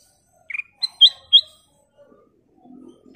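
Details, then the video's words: Black-crested bulbul giving a single brisk phrase of four clear whistled notes, the later ones higher and ringing, followed by faint scattered lower chatter. "Kicau Burung Burung Kutilang Emas Gacor full isian"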